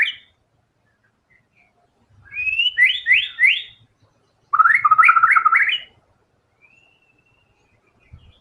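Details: White-rumped shama singing vigorously, showing its full range of song material; two bursts of rapid, looping, whistled trills that sweep up and down, the second lower and denser, with a faint low hum in between.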